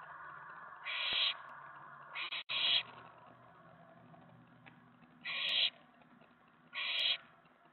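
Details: Excited owlet in a nest box late at night, May 19, 2017, as another owl lands on the outside tray around a mouse delivery. Four rasping, hissy screeches come at irregular gaps over a low steady hum.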